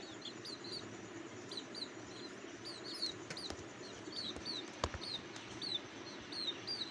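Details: Cuckoo nestlings, very hungry, calling from the nest with rapid high-pitched, slightly hooked squeaks in steady runs, plus a few sharp knocks and a faint low rumble behind them.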